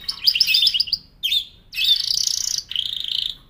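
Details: Canary singing: a rapid warbled phrase near the top of the range, then a short gap and a long buzzy trill of fast repeated notes, ending in a lower steady rattling trill.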